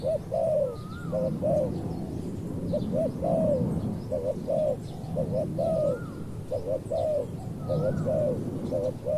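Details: Spotted dove calls while a wild dove is being decoyed: repeated phrases of two quick low coos and a longer arched note, steady rhythm, with low rumbling noise and occasional faint down-slurred whistles.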